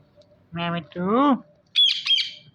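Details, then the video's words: Indian ringneck parrot talking: two short, voiced, speech-like words, the second with a rising then falling tone, followed by a harsh, high double squawk. "Best Talking Ringneck Parrot"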